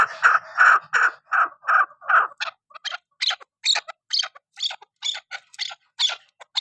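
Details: Hunting (shikari) chukar partridge giving a series of loud, harsh chuck notes. The notes start broad and evenly spaced, then become sharper, higher, clipped calls repeated about twice a second.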